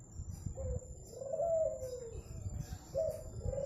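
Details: Zebra dove from Madura, a native bird kept for its golden, melodious voice, delivering a string of soft warbling coos that rise and fall, with brief pauses between phrases over a low background rumble.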